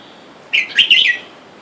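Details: Red-whiskered bulbul, one bird of a caged wild male-and-female pair, with wild birds outside calling for a mate. A single short phrase of clear, warbled whistles runs about half a second, rising then dipping.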